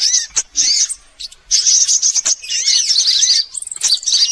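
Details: Mixed sunbird calls used as a lure to attract birds: bursts of high, hissy twittering broken by short quiet gaps near one and three and a half seconds, with slurred notes and sharp chips.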